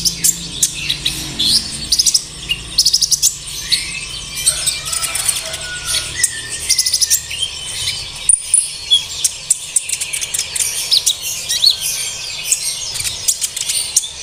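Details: Sunbird song played to make kept birds sing: a long run of rapid, very high ticking chirps and short twittering trills, with a few lower rising whistles, all fast and busy against faint background hiss.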